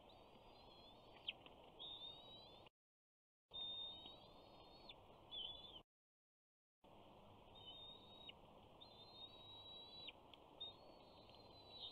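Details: A 68-day-old bald eagle nestling at Big Bear calls on the first day of summer, 21 June 2019, as fish arrives at the nest. Faint, high wavering whistles repeat irregularly over a steady background hiss, with two silent breaks.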